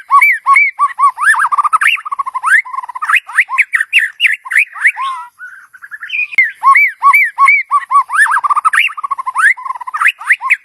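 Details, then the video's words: White-rumped shama singing, a recording used to lure a mate: long, loud run of varied whistled and looping phrases, low and high notes alternating rapidly, with a short softer pause midway. "เสียงนกบินหลาดง นกกางเขนป่า ใช้ต่อนกเรียกคู่เข้าเร็วมาก"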